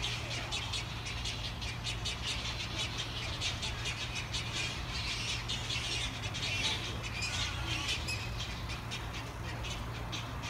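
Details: Urban egret flock roosting in Himalayan cedars beside apartments in Dongin-dong, Daegu, 2016, newly relocated after its old trees were felled; rapid, irregular harsh squawks and chatter from many birds run throughout, over a constant low mechanical hum.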